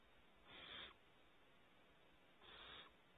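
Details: Two drawn-out rasping hisses from barn owl owlets in a California ranch nest cavity, each about half a second long and two seconds apart, over a quiet, steady low hum.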